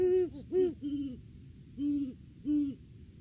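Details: Male and female Great horned owls duetting at the nest tree, off-season, December: five low hoots, two slightly higher and three lower and longer, spaced about half a second apart.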